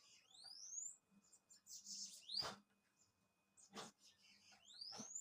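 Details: Bananaquit singing thin, rising upslurred whistles and a buzzy hiss, repeated several times, with occasional loud dull knocks and thumps nearby.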